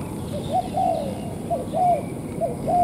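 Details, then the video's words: Spotted dove in the wild, responding to a decoy dove at a ground trap on a sunny day, giving a low 'rước' coo: soft mellow hooting notes in paired phrases, repeated about every second, over steady outdoor background noise. "nó rước á, nó rước á, chứ không phải gù mé đâu. Con này nước mà thấp gù, thấp gù tí rồi."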